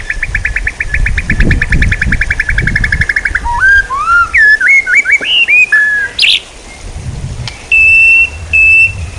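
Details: Songbird training material: a long buzzy trill of fast repeated notes, then a sequence of clear whistled slurs stepping upward, a sharp high burst, and two steady level whistles.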